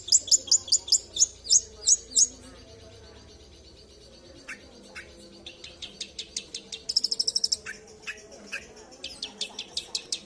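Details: Long-tailed shrike kept as an Indonesian songbird, singing a full imitative repertoire: a quick series of high, sharp ticking notes, then scattered clicks, a rapid trill and more high chipping phrases, with faint background hum.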